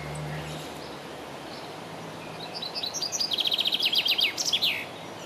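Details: A common chaffinch (Fringilla coelebs) sings one bright phrase on 27 June 2017: a few thin opening notes, a fast steady trill of repeated notes, then a quick falling flourish, over faint background hiss and a brief low hum.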